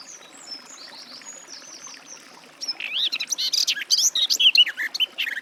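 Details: Thin, faint high notes drift through the first half. Then a Garden warbler (Sylvia borin) bursts into a loud, bubbling, continuous warble of quick, varied phrases.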